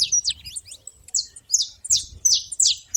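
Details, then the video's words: Saffron finches at a feeder giving separate sharp, high chirps and short buzzy notes, some sliding downward, in irregular bursts with brief gaps between them. "canário da terra fazendo barulho na seva"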